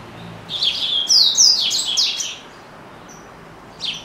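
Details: Pet double-collared seedeater kept by the owner's father, singing a quick high phrase of bright whistled and slurred notes that swoop downward, followed after a pause by a single short chirp.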